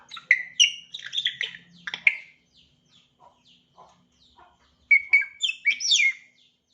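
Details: African grey parrot starting to chirp: bursts of sharp, high chirps and squeaky whistled notes in quick runs, a quiet gap with soft scattered clicks, then another lively burst of rising and falling chirps.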